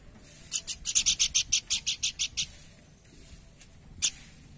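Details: A Horsfield's babbler gives a fast series of about twelve harsh, rasping high notes, then falls silent before one last sharp note.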